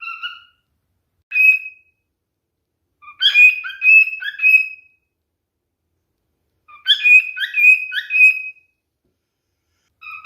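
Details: Male cockatiel singing as part of mating behaviour: bursts of clear whistled notes near a steady pitch, separated by short silences, with brief lower slurred notes between phrases.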